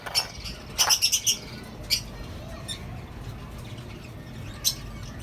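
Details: Lovebirds, cockatiels and budgerigars kept together in a colony setup; a few harsh, high squawks come in a quick cluster of four near the middle, with scattered single calls before and after over a quiet background.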